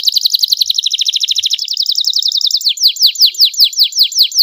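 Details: Canary singing a clear, ornate training song in the cengkok mewah style, used as a master recording for songbirds: a fast high rolling trill of repeated notes, then slower, sharply descending whistled notes repeated about twice a second.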